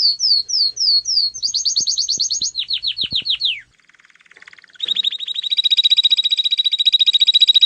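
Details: Bird song moving through several phrases: repeated downslurred whistles, a fast trill of high notes, a series of falling chirps, a brief soft pause, then a long rapid high trill.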